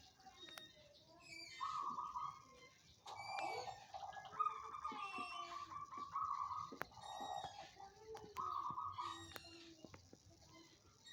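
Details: Caged zebra dove of the banyumili song style, settled in quickly and singing freely. It gives rolling, trilled coos repeated in bursts a second or two long. Sharp clicks and faint background chatter are also heard.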